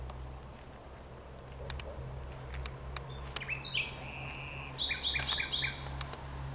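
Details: Common nightingale singing at night on 17 May 2023: a drawn-out steady whistle followed by a quick run of sharp repeated high notes, over a faint low hum and soft background noise.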